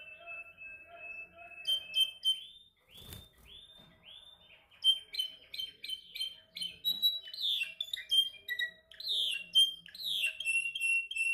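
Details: A canary practising its song in training: sustained trills, a run of swooping repeated notes, then dense chattering phrases and downward-sliding notes, with one brief sharp knock partway through.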